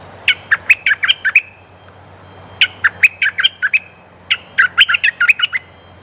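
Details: Decoy bulbul calling to draw in females, giving three separate bursts of quick, clipped chattering notes, each burst of about eight to ten notes, with brief pauses between and a faint low hum behind.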